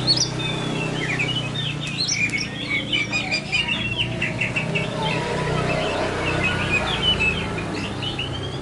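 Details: Poci-type Oriental magpie-robin in a therapy recording, delivering a long run of clear whistles, fluty slurs and rapid chattering notes, with a constant low background hum throughout.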